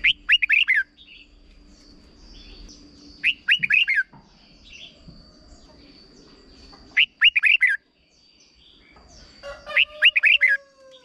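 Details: Red-whiskered bulbul from Thailand in a short 'bern' song for young birds to learn. Four quick warbling phrases, roughly three seconds apart, each a cluster of slurred bright notes. A faint low whistle glides down near the end.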